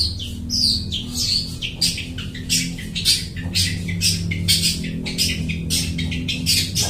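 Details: Long-tailed shrike in full mimicking song, imitating other birds, suited as a trapping lure; dense run of short harsh high chirps and squawks, nearly continuous, over a low background hum.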